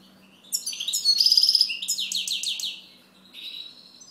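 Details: Goldfinch singing a lively, high twittering phrase with a rapid buzzy trill and a run of quick sliding notes, followed by a short softer warble after a brief pause.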